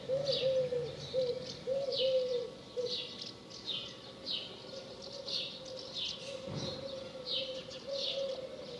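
A dove's low, soft, wavering coo runs through the clip, with quick higher chirps from other birds repeating about twice a second.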